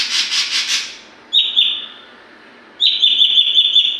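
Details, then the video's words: Oriental magpie-robin youngster, known locally as saeran, practising its song: a pulsing raspy burst fades into two sustained high thin whistles, the second longer and slightly warbled. "Burung saeran abu gacor pastol belajar bongkar isian"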